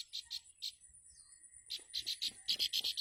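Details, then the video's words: A bar-winged prinia mother calls at the nest for her young with bright, clipped high chips, a few spaced notes at first, then a fast run of about four per second, with a constant shrill whine behind. "Ciblek rice bird's nest.. the mother is crying her child"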